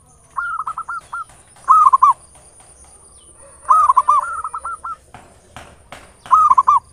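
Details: Ngayer nulop song of a local zebra dove, used as a lure to stimulate singing: bouncy, purring coo phrases of rapid repeated notes, some running straight into one another, with brief clicks and a faint steady high tone.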